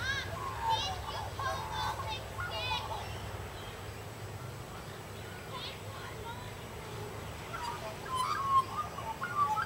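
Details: Australian magpies socializing among suburban trees in Sydney: rich harmonic, chattering warble phrases at the start, a quiet stretch, then a few clear whistled notes near the end.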